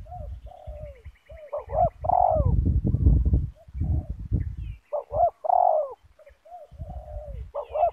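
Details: Wild spotted dove, locally called terkukur and of the banggo type, drawn down to a yard by a caged decoy bird of the same type, with both meeting. Loud rolling coos repeat over strong low rumbling noise.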